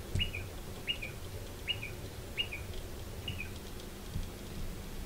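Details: Striated pardalote pair nesting in a stone wall under a shed; a run of five quick two-note calls, high chip then lower drop, under a second apart, with low background rumble.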